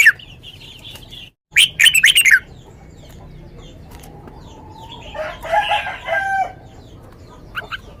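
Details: Red-whiskered bulbul kept in a cage gives a sweet song in the lak wai style, a loud quick run of bright chirped notes early on; later a lower, harsher drawn-out call and quiet bird chatter are heard.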